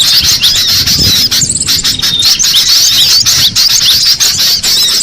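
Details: Cinereous tit heard in the wild: a continuous wash of high, squeaky chirps and quick slurred notes, densely layered, with a short, flat, thin tone near the start.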